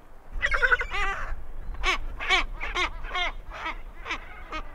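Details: Great skuas invading the territories of two adjacent penguin pairs, giving a rapid series of nasal, arched, yelping notes, roughly two to three per second, varying slightly in loudness throughout.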